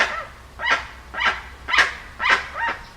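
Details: Dusky-legged guan gives five loud, harsh, honking calls in quick succession, each a broad burst with rich overtones, spaced about half a second apart, over a low steady hum.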